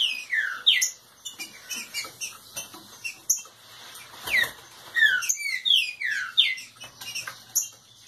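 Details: A Green-winged saltator warming up sings an aggressive song: a fast run of loud, clear whistled notes, many sliding downward, packed closely together with hardly a pause.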